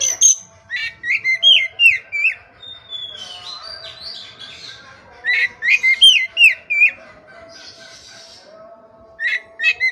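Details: Oriental magpie-robin in vigorous 'gacor' song, used as tutor audio to coax silent, stressed kept birds into singing: bursts of clear, slurred whistles rising and falling, with short sharp notes and pauses, a quieter buzzy stretch midway, final burst near the end.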